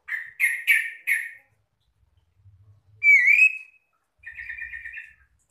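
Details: Many Oriental magpie-robins in full song, answering and calling other magpie-robins: four harsh, buzzy chirps in quick succession, a pause, then a loud upslurred whistle and a fast rattling trill.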